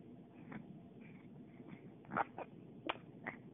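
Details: A pet parrot squawking indoors: a few short, harsh, broadband squawks burst out in the second half, each brief and abrupt, over a low, muffled room background.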